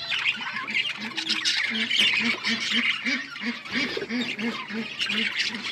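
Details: Budgerigar colony chattering with squawks and chirps, accompanied throughout by a low, evenly repeated hooting pulse about four times a second.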